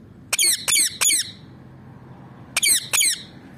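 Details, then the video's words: Rose-ringed parakeet kept as a pet, with a cluster of three grating, screechy squawks, a silent gap, then a pair of the same harsh, downward-bending calls. The room is otherwise quiet, with faint low hum. "Ringneck parrot talking"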